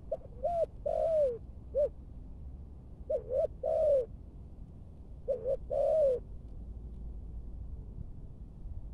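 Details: Spotted dove, Malaysian strain, being trained as a decoy in Bình Dương, Vietnam, cooing in thúc gù style: three quick phrases of brief notes and a longer sliding coo, then quiet hum.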